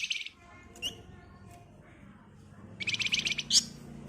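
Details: Flamboyan bird in agitated song used as a lure for other birds; a short, high rattle, then scattered chips, and a second burst of rapid, sharp notes ending in a loud squeaky note, over a faint low background hum.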